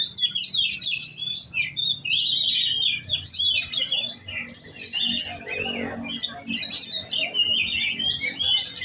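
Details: Oriental magpie-robin, a kept bird trained for song competition, delivering a continuous rich stream of varied whistles, chattering trills and mimicked notes, loud and dense throughout with faint low hum behind.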